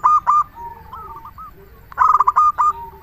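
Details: Local zebra dove song used to lure other doves: two loud bursts of quick, bubbling coos, with softer cooing from other doves in between.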